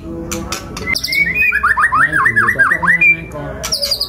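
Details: White-rumped shama, a kept songbird of the F5 line with kasaran-filled song; a rapid run of about nine loud descending whistled slurs, with other chirps and squawks before and after over background music.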